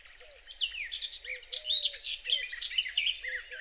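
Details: Garden warbler singing very close at dawn on a wet meadow near Biebrza, Poland: a long, continuous, rich warble of fast varied notes, with a faint low electro-mechanical whine of human origin in the background.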